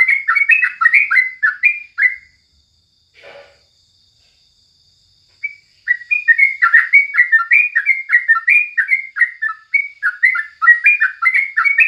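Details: Sooty-headed Bulbul singing in the morning as a tutor recording: rapid runs of short, liquid chirps sliding between mid and high pitch, broken by a pause of about three seconds with one faint lower note, then resuming just as busily.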